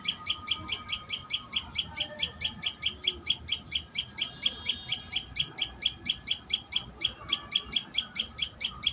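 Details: At its nest, a common tailorbird keeps up a long, fast series of thin, high chirps, some forty notes in nine seconds, steady in pitch and pace.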